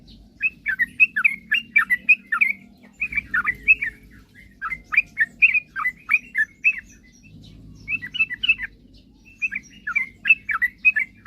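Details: Sooty-headed bulbul singing nonstop, the song meant to provoke rival birds: repeated phrases of rapid, bubbly, slurred notes with brief gaps, steady low hum underneath.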